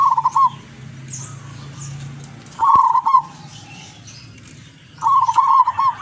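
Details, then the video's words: Zebra dove from Tuban, East Java, a keen singer with long melodious voice; three phrases of rapid pulsed coos at a steady pitch, each finishing in a trill, spaced around two and a half seconds apart, over low noise. "Perkutut Lurah gacor doorrrr"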